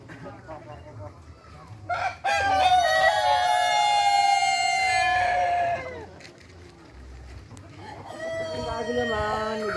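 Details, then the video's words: Rooster producing a long, sharp crow said to resemble a cricket; one loud sustained note of over three seconds, with other softer sounds around it. "suara ayam seperti suara jangkrik"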